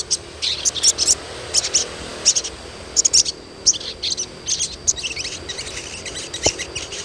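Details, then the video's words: Asian pied starling chirping meant to encourage young starlings to start singing: clusters of high, scratchy tweets in uneven bursts throughout, with a faint background hum and one brief click. "SUARA CUITAN SOGON UNTUK PANCINGAN SOGON BAHAN AGAR CEPAT GACOR"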